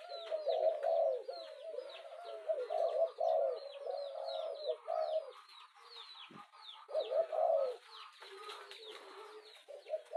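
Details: Low rolling coos of a spotted dove, an urging call to excite a decoy bird, in uneven bursts with a gap near the middle, accompanied by busy high-pitched chirps from other birds.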